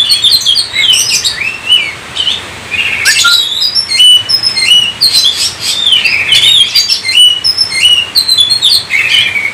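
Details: Kacer (Oriental magpie-robin) in full 'gacor' song as a lure: rising whistles, harsh squeaky notes and quick chirp runs, alternating loud bursts and short pauses over several seconds.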